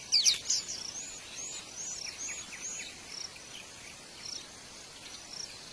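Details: Wild white-eye at a nest with young being fed: one loud high chirp opens, followed by a string of softer, thin, high twittering notes, over continuous noise.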